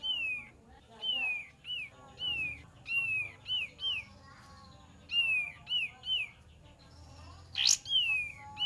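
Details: Cream-vented bulbul song played to lure wild birds: a long, uneven string of clear downslurred whistles, some paired, with a brief sharp noise near the end.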